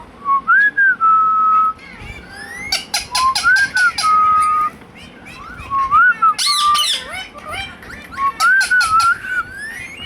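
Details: Pet Indian ringneck parakeet talking, saying "Hello" and "Mithu Mithu": clear tonal phrases with wavering rises and falls, each ending in a long steady note, broken by bursts of sharp broadband clicks and taps.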